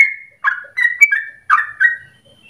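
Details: Sooty-headed bulbul 'ropel' song phrase for bird training: a few rich, throaty whistles that slide downward, spaced by short gaps, ending with a faint high note.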